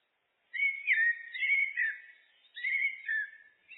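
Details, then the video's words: Common blackbird (Turdus merula) song, looped: rich fluting phrases, mellow whistles rising and falling between mid and high pitch, in two bursts split by a short pause. No other sounds. "Blackbird, Turdus merula, birds (looped)"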